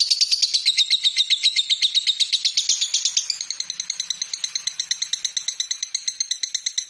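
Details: Lovebird, recorded as a master song for training other birds in Indonesia, chatters in a rapid, buzzy stream of high notes about four per second, shifting to a thinner, ticking rhythm partway through.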